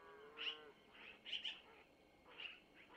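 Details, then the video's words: Nest-camera recording from Missoula, 25 April 2024, early morning, of long-eared owl chicks at feeding time: a few separate high, squeaky bursts about once a second, with a faint lower drawn-out tone at the start. "Mom takes from Mr to Feed Little Owlets -Long Eared Owl"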